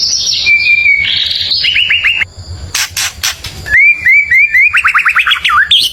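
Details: White-rumped shama song aimed at provoking neighbouring birds: buzzy high notes and a steady whistle, a brief run of sharp clicks, then repeated upslurred whistles speeding into a quick rattling series.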